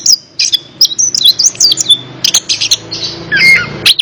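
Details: Orange-headed thrush song played to encourage a non-singing bird: fast sequence of high whistles, twittering slurs and a few harsher buzzy notes.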